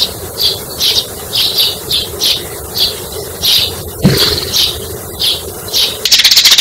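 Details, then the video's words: Sparrow chirping, used as a lure call for trapping sparrows: bright, short chirps repeated steadily about every half second, with a brief thump midway and a burst of fluttering noise at the end. "Tiếng chim sẻ mồi"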